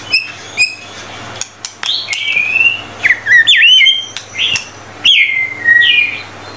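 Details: White-rumped shama tutor song of 25 materials: a few sharp high chips, then clear whistled phrases and quick twisting notes in separate bursts with short silences between.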